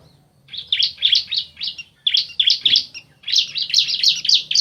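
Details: Male and female bar-winged prinia calling back and forth: bursts of rapid, harsh chirping notes in three clusters separated by short pauses, each cluster a quick chattering series.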